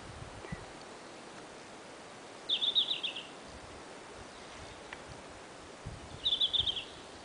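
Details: Red-flanked bluetail singing on its breeding grounds in high mountains: two short, bright, twittering phrases about three and a half seconds apart, each under a second long, over soft steady background hiss.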